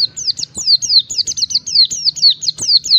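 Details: Nonstop high, buzzy, falling whistles from an Oriental white-eye in its wild-type song meant to provoke rivals, about a dozen notes tumbling in quick, uneven succession.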